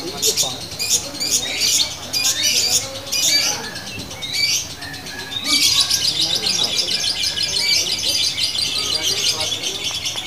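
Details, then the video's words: Female fighter lovebird in a locked, long-running song: dense, shrill, rapid chattering trills with brief pauses, plus softer lower chirps underneath. "Lovebird betina fighter ngunci!!! pitbull jedanya gak kalah ama burung konslet"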